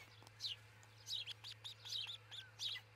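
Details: Osprey at a nest built by a pair in Charlo, Montana, on a nest camera at about 4:50 a.m. on 22 June 2018; several short, high chirps come at uneven intervals over a steady low hum.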